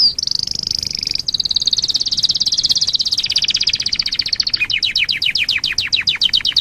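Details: Domestic canary song played as a lure for other canaries: a high sustained trill gradually descending, becoming a rapid rattle, then ending in a series of sharply repeated downward-sweeping notes.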